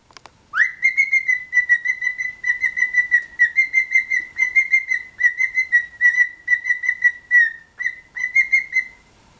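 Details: Pet cockatiel, described as funny and cheeky, whistling a melodic tune. Clear repeated whistled notes hold a steady pitch with a short rising start, pulsing in quick rhythmic bursts for about nine seconds in a quiet room.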